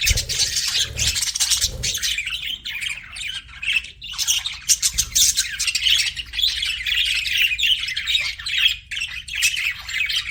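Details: Several budgerigars chattering together: harsh squawks mixed with fast warbled chirps in a dense, nearly unbroken stream, with a few low thumps at the start.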